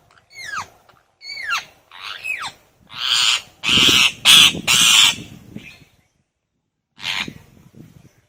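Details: Pet ring-necked parakeet (rose-ringed parakeet): three shrill, sharply falling chirps about a second apart, then a burst of loud, harsh screeches and one final screech after a pause.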